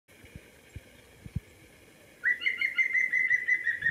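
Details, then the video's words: A European green woodpecker gives a loud, ringing run of rapid, slightly wavering notes, after a few soft low knocks at the start. "Green Woodpecker call"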